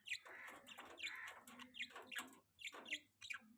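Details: Quiet budgie chattering linked to mating, with rough chirps in bursts roughly once a second, each a quick squeaky note above a faint low hum.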